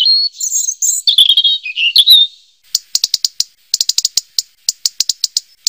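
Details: Robin song opening with varied warbled whistles, then a series of sharp, evenly spaced clicking chips.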